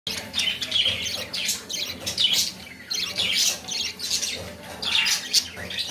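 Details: Young budgerigars chatter and squawk in harsh, buzzy bursts while fighting.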